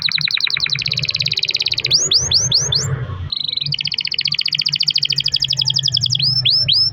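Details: Canary singing long rolls to encourage other canaries: quick repeated downward sweeps becoming a fast trill, swooping whistles, a short pause, then another long trill ending in swoops; faint low background rumble.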